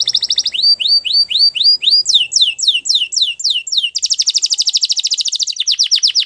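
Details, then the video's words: Training song of a Belgian canary: bright high tours in quick succession, rising whistled notes repeated about five per second, switching to downward sweeps, then a rapid rattling trill and a final burst of sliding notes; nothing else audible. "Canary Training Video | Belgian Canary Singing"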